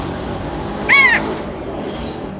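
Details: A single rasping crow caw, slightly falling in pitch, stands out clearly above soft steady background noise.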